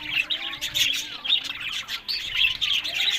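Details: Captive budgerigars kept for breeding in Larkana, Sindh, chattering together: dense, high, scratchy warbling and quick chirps overlap without pause, with brief louder bursts every half second or so.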